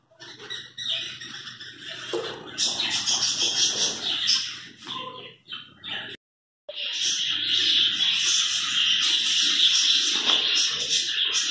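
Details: Zebra finch colony in cages during a move from group housing to individual cages: dense, continuous high chirping and nasal calls from many birds, briefly cut off by a short silence midway, then resuming louder.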